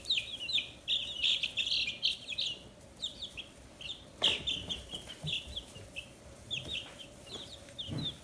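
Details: Young free-range chickens, fifteen days old and feathering, in Hiroshima Prefecture, Japan. A rapid, crowded run of shrill peeps opens, then sparser falling chirps follow, broken by one sharp knock.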